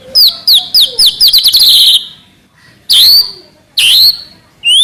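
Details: Trotol-style song of a White-rumped shama: a rapid run of sharp, down-slurred whistled notes that speeds into a chattering burst, then after a pause separate loud swooping whistles. No other sounds stand out.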